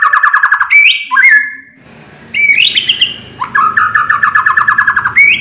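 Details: White-rumped shama song for provoking other birds to sing: loud rapid rattling trills alternating with rich rising and falling whistles, separated by a short silent gap.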